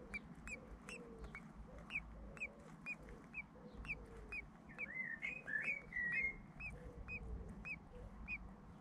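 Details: Young common blackbirds in a nest in the UK, about three or four days old, fed by mother and father; rapid series of sharp high chips, about two a second, briefly swelling into a busier squeaky burst midway.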